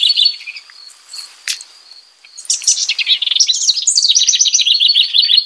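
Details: House wren singing: a few thin high notes and a sharp tick, then from midway a rich, bubbly, fast jumble of high chattering notes that rises and falls and keeps on to the end.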